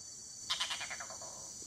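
Red-bearded bee-eater: a harsh, croaking chatter of about six quick notes that slow and fade in under a second, over a steady high insect hiss.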